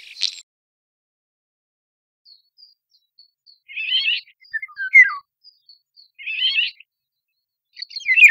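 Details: Eurasian golden oriole (Oriolus oriolus), call.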